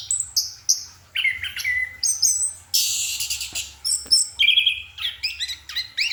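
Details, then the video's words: Anis kembang, the orange-headed thrush, in a night-time bout of song: quick whistled phrases jumping between high and middle pitches, with a dense scratchy burst partway through and more clear descending notes after it. "Anis kembang sedang menikmati goyangan malam"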